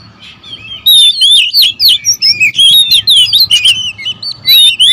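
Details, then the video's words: Oriental magpie-robins, a territorial species, squabbling in song: loud rapid streams of high sweet whistles and buzzy chatter, several birds overlapping, with a faint steady low hum. "KACER RIBUT"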